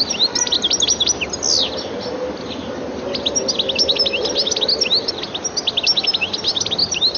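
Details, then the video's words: Goldfinch in a garden setting, attractive calls and song: dense bursts of thin, sharp twittering notes high in pitch, quickly repeated and overlapping, over a steady background hiss. "goldfinch's looks as well as its attractive calls and more elaborate song make it a welcome visitor to Gardens"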